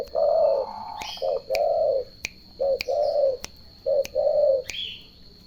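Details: Low, rounded cooing of turtle doves in paired short and drawn-out notes, repeated at an even pace, accompanied by regular sharp clicks or knocks and a faint higher chirp near the end.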